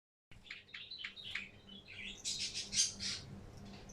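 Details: Zebra finches chattering indoors: a dense run of short, nasal, buzzy notes, several overlapping, growing louder and higher toward the end, with a faint steady hum underneath.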